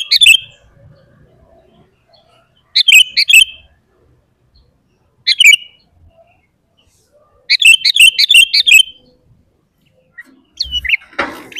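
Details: Sooty-headed bulbul song used as a lure to make caged and wild bulbuls sing: short bursts of bubbly, liquid whistled notes, about one phrase every two to three seconds, with silence between and a brief rustling noise at the end.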